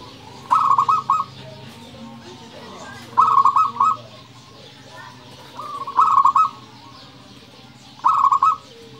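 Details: Zebra dove of local stock in full 'nembak' song, used as a lure to stir other doves: four short, rapid, trilled coo bursts, each about half a second, repeating roughly every two and a half seconds over faint background hum.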